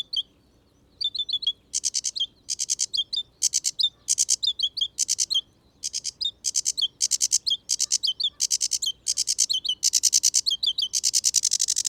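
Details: Sedge Warblers in wet habitat of ditches and ponds, a couple singing in the background: a loud, fast, varied, higher-pitched chatter of harsh churrs, rattles and high sweet notes, building into a long unbroken stream; often mistaken for a Reed Warbler.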